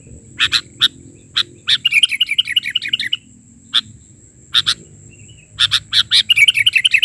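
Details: Vigorous 'isian' filler song of a sooty-headed bulbul, 'bahari' version. Sharp chip notes alternate with fast, wavering trilled runs of bright notes, and a faint continuous high electronic tone sits underneath.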